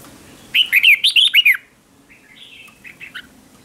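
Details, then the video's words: Red-whiskered bulbul singing as a decoy to call wild birds in: one loud, rich phrase of quick, swooping whistled notes lasting about a second, followed by softer, more distant bulbul-like whistles. "Tiếng chào mào mồi gọi là đến, Chào mào mồi gọi bổi không tạp âm"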